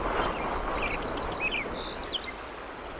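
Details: Bald eagle at a massive nest in Decorah, Iowa, on a live nest camera, 01.04.2024: a rapid series of short, thin, high chirping notes, some rising then falling, over a steady low outdoor rumble.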